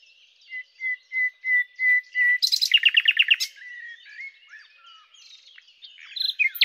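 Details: Common nightingale (Luscinia megarhynchos) in song, opening with a slow series of pure whistled notes swelling louder, breaking into a loud, fast, buzzy rattle, then quieter warbled notes and sharp twitters.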